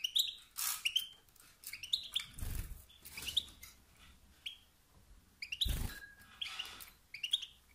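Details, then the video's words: Male European goldfinch uttering 'sitsat' and 'batbat' calls that push rival males to sing by rousing their urge to dominate; scattered, clipped twittering notes broken by loud thumping and rustling noises. "ستستات و بتبتات ذكر الحسون الخلوي التي توقد النار في الذكور الاخرى"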